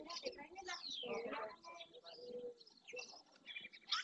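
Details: Dozens of barn swallows, many juveniles, gathered in early June by the Francisco Bernis centre at the El Rocío marsh edge, Doñana, Spain, giving busy twittering chatter of quick chirps and thin rising and falling whistles, a human voice faintly underneath.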